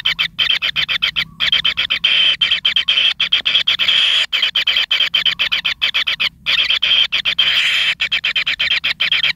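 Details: Nestling kingfishers needing plenty of food, pin feathers coming in, give a long stream of rapid scratchy rasping pulses with occasional short breaks.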